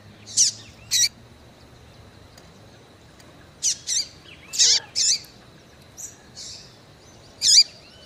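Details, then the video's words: Female double-collared seedeater calling repeatedly in breeding condition to warm up males, giving a rapid series of high, sharp chirps with hooked tails, often in pairs, about eight notes in eight seconds. "FÊMEA DE COLEIRO CHAMANDO MUITO QUENTE FOGOSA E PIANDO"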